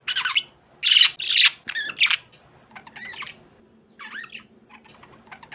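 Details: Pet budgerigars (parakeets) chattering: harsh, scratchy squawks and warbles in quick irregular bursts, loud at first and then softer, with faint room hum behind.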